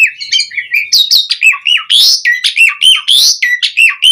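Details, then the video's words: Asian pied starling in energetic gacor song, used as a training lure, pouring out loud whistled phrases that rise and fall, with chirping notes rapidly interleaved, about one phrase per second. "Suara Jalak Suren Gacor Mudah Ditiru Pancingan Burung Jalak Mompa Ngomong Bunyi Gacor Full Isian"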